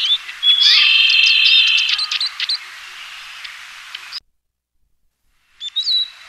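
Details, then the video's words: Eurasian siskin in full song: a loud, strained, buzzy wheeze followed by quick twittering and clicks, then a short break in the recording and a further thin whistled note. "黃雀/Eurasian Siskin(Spinus spinus) singing"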